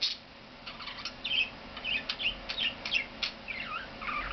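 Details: A pet male budgerigar, quiet for weeks after arriving but now singing a lot, warbles a rapid run of chirps, squeaks and buzzy twitters on his perch indoors by a window in the morning; owner thinks he may become a talker.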